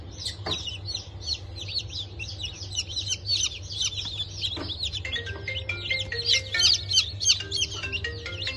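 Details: Newly hatched chicks of Bantam Cochin and Sussex breeds from a 3 November 2024 hatch, chirping rapidly in high, overlapping peeps; in the second half, sustained tonal notes join the chorus over a low background hum.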